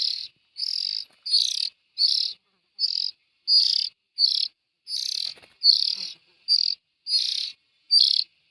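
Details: Young bulbuls giving harsh, hissing, buzzy bursts, each about half a second long, repeated steadily with short silent gaps between them, and no other sounds.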